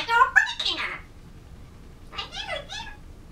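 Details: Pet African grey parrot indoors in November 2011, practicing words and trying to sing a Disney song: two bursts of speech-like warbled syllables with shifting tones, separated by a quiet pause.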